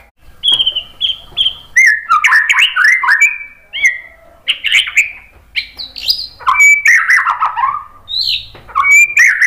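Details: White-rumped shama pouring out a rich, varied song to provoke other birds: three short whistles, then tumbling warbles, chatters and bright slurred notes, changing constantly.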